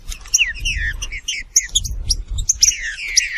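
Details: Green-winged saltator (Saltator similis) singing, a captive bird kept in Brazil: clear whistled phrases sliding downward from about 3k to 2k, repeated in short bursts, with higher chips above and low rumbling handling noise underneath.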